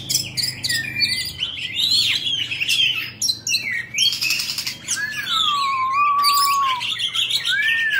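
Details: Oriental magpie-robin kept as a cage bird, singing while dancing and fanning its tail: a varied run of sweet whistled phrases, a long clear whistle sliding gently downward, interrupted by harsh scratchy bursts and brief rustling.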